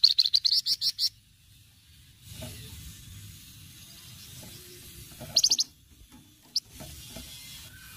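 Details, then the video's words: Cretetan song of a flamboyan, lively and used as a lure: an opening burst of about seven rapid high pulses, a quiet gap, then a brief rattle and a single sharp note. "cretetan flamboyan gacor"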